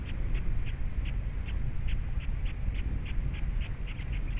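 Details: Osprey at a Captiva nest with three chicks, 21 February 2022; clear, evenly spaced whistled chirps, about three a second, standing out over strong wind rumble.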